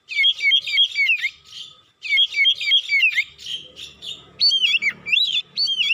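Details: Oriental magpie-robin lure song for provoking birds: two matching bursts of rapid repeated whistled phrases, each lasting about two seconds, followed by louder, wider swooping notes.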